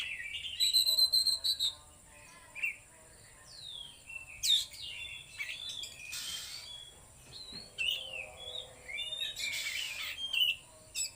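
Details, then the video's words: Oriental magpie-robin singing konslet and trotol phrases at full power: bursts of fast twittering, sliding whistles and rasping notes in uneven groups, with quiet gaps, a high steady whine and faint background noise. "KACER LEPAS TROTOL KONSLET SUARA FULL POWER !!!"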